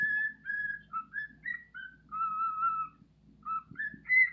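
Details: Male pet bird singing indoors, with a hop, to attract females: a series of clear whistled phrases, steady or gently rising, about a dozen notes in four seconds with brief pauses, over a low indoor hum.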